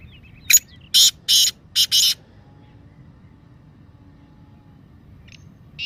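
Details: Kala teetar (black francolin) 'masti' call, meant to make lazy captive birds call: a sharp opening note and three grating, buzzy bursts within two seconds, then a faint steady hum and another rasping burst starting at the end.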